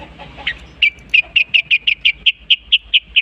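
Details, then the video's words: Long-tailed shrike in full song, mimicking other bird species: a few faint soft notes, then a steady series of about twelve short, sharp, high chips repeated several times a second. "unik nya burung cendet bisa menirukan jenis burung apapun"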